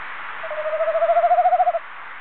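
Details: Tawny owl male heard near the nest box, 21 February 2015, giving one tremulous, wavering hoot of roughly 1.3 seconds that builds steadily in volume and ends abruptly, with faint background hiss.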